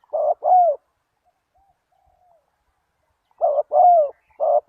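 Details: Spotted dove calling, used as a lure to draw in wild doves: a pair of short, hollow coos around mid pitch, then a pause of nearly three seconds before another pair and a third coo.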